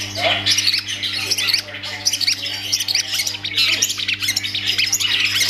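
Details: Long-tailed shrike (cendet) kept as a song bird giving loud, harsh squawking chatter mixed with high, sharp whistled notes in uneven bursts, with a steady low hum in the background.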